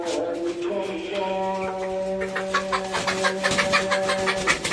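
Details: Sonali hens, about four, being let out of a newly built hen house in the morning give a drawn-out, steady whine, then quick, busy clucks about twice a second, as people talk close by in a small room.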